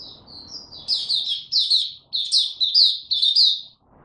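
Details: Maturing song of a young male white-eye, 9 February 2022. It opens with soft, thin, drawn-out notes, then runs into bright, high twittering phrases repeated in clusters about every half second.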